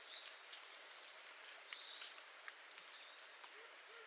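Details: Near Yelno in Russia's Novgorod oblast, September 2018, a hazel grouse gives its autumn whistle. A long, thin, very high note is followed by a string of wavering, stuttering whistled segments, with light background noise throughout.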